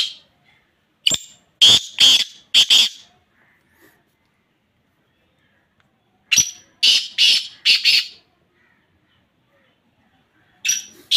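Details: Black francolin giving its rasping, scratchy call, phrases of four to five loud harsh notes separated by several seconds of silence, repeated three times.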